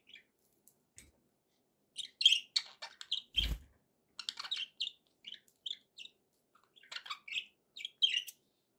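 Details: Budgerigars warbling in a steady stream of squeaky, chirping notes and soft clicks, with a single dull knock partway through.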